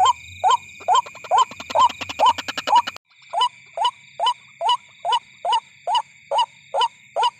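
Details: Ruak-ruak lure sound for calling white-breasted waterhens at night: repeated rising croaks about twice a second, with rapid extra pulses and a low hum in the first part, then a cut to a cleaner series.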